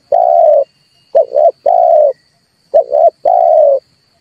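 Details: Red turtle dove coos meant to stimulate other birds for trapping: a long low hoot, then two phrases of a stuttered coo plus a sustained hoot, evenly spaced.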